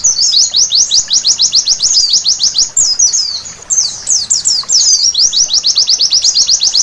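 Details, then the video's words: Night-time white-eye singing meant to get birds singing readily: quick strings of sharp, high chirps in steady pulses, broken after about three seconds by a jumbled twittering passage, then back to the fast regular chirping. "Terapi Pleci Malam Hari Bikin Gacor seketika!!!"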